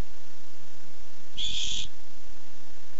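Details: Barn owl coming by while looking for food, recorded 8-7-15: a single harsh, breathy hissing screech lasting about half a second, with low background hum and faint thumps.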